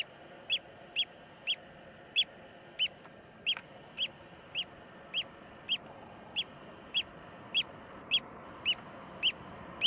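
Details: Eurasian oystercatcher recorded in Iceland, calling a long series of loud, shrill piping notes about every half second, steady and insistent, over a background of constant low rushing noise.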